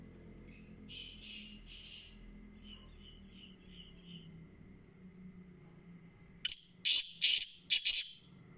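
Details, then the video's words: Black francolin call: several soft, high scratchy notes and faint chirps at first, then after a pause a full loud phrase of a sharp note and three harsh buzzy bursts, the last doubled, with a low hum underneath. "kala teetar"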